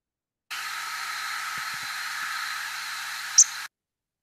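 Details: Nocturnal flight call of a migrating Wilson's Warbler, about 75 milliseconds long with rising and dropping parts: a single very brief, high, thin note near the end over a steady background hiss.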